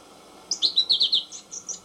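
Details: American goldfinch song, a quick run of bright, high twittered and warbled notes, about eight syllables in just over a second, over low hiss.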